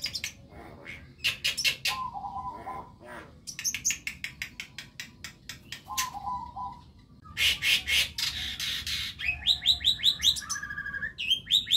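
A young Javan myna practises a rambling song of harsh rasps, clicks and scratchy bursts mixed with short whistled notes, some clear, some buzzy, in uneven bouts.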